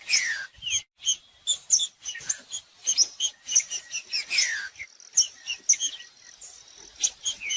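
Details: Green-winged saltator song for warming up a cold bird: high clipped chirps throughout, broken by two loud downward-sweeping whistles near the start and middle.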